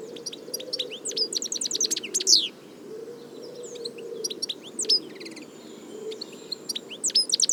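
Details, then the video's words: European goldfinch from the wild, described as vanished from nature in many countries through overhunting; quick twittering song of high tinkling notes, bursts of rapid chirps with brief pauses, a faint low hum underneath. "صوت الحسون حسون ذهبي عروس التركمان طقطق شوك الحسون صافي من الطبيعة European goldfinch sound"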